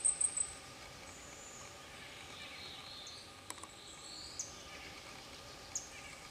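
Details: One of two Blackpoll Warblers bathing in a stream in Fairfax Station, Virginia, gives three very high, thin, quick notes, then a couple of isolated high ticks, over rushing water.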